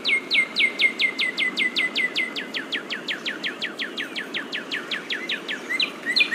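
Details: A Northern Cardinal sings a fast run of clear, down-slurred whistles, about four or five a second, and a second cardinal answers faintly at the end in a duet.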